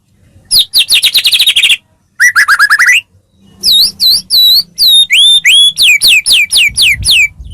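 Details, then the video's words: Rich white-rumped shama singing used as a training recording to get other shamas singing: dense trilled bursts, a pause, then a chain of clear downslurred and upswept whistles with scratchy overtones, repeated in quick succession. "masteran burung murai mewah"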